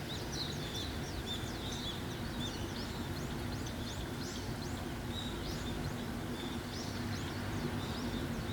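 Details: Birds singing in early-morning rain: many quick, high chirps and short rising-falling twitters throughout, partly masked by the steady hiss and patter of heavy rainfall.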